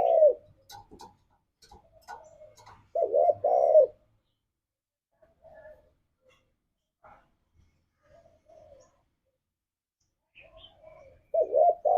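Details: Spotted dove cooing in 'ngalas' style, used as a lure to get pet doves singing: short hoarse coo bursts at the start, a double coo near three seconds and another at the end, with long quiet gaps between them.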